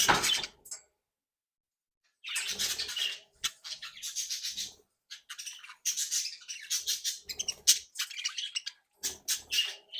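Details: Happy, playful captive-bred budgerigars chattering: a sharp opening squawk, silence, then long runs of raspy warbling and clicking chirps with brief pauses between phrases.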